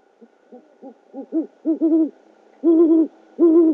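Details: Great horned owl hoots at a nest cam, 12 Feb 2013 around 9:30 PM, as the male brings a rodent to the female: soft, low notes growing steadily louder, ending in two longer, fuller hoots, faint hiss.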